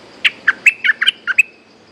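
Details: A wild resident bulbul answers a hung lure bird, singing its 'sap dok' phrase: seven evenly spaced, bright, bubbly notes, each about a fifth of a second apart, fading at the end.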